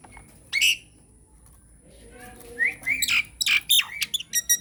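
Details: Nias hill myna used as a lure to prompt other mynas to sing: a sharp squawk, a pause, then a run of rising whistles and harsh, clipped squawks in quick succession.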